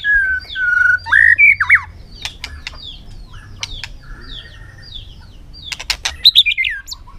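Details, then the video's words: Contest-singing white-rumped shama on a sunny afternoon: rich rising and falling whistles, a pause with faint soft notes and clicks, then a quick trilled phrase. "chòe lửa căng lửa hót đấu siết nắng chiều"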